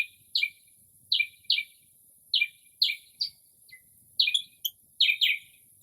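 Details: Northern mockingbird singing outside a home late at night in early spring, copying other birds' calls: sharp high downslurred notes given singly and in pairs with irregular gaps, in still, noise-free air.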